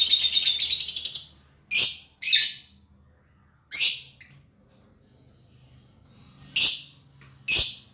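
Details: Lovebird opening with a rapid, buzzy chattering trill, then giving isolated loud, sharp high chirps spaced a second or more apart, with short silences between.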